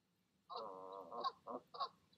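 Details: Goose parents calling as they urge their goslings to leap from the nest one evening: a drawn-out nasal honk followed by three short grunting honks, with faint background hum.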